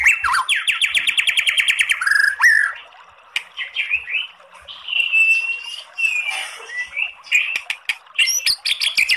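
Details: Song of a white-rumped shama (murai batu), a 'kretekan' recording with long 'tembakan' passages used as a provoking call: rapid repeated rising notes open, then a pause, then mixed whistles, warbles and chattering bursts.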